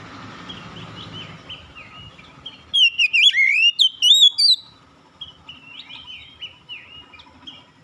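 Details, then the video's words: Oriental magpie-robin song: a central burst of loud, bubbling, twisting whistles lasting about two seconds, framed by softer wavering whistles and a low background murmur. "KICAUAN INDAH BURUNG KACER"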